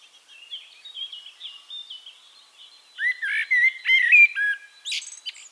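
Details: In Castricum, the Netherlands, a Eurasian blackbird's song opens with faint high chirps of other birds, then a loud fluty warble of several whistles, ending with a high scratchy squeal.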